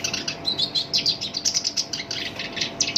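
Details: Rough, harsh song of a Black-browed reed warbler (sinchan), kept as a master bird and lure for other songbirds; a continuous run of grating, chattering phrases, rapid notes pulsing several times per second.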